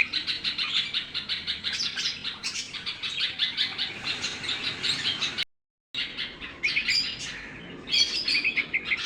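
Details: Baby red-vented bulbuls chirp continuously in high, rapid, overlapping notes, with a brief silent gap before the chirping resumes.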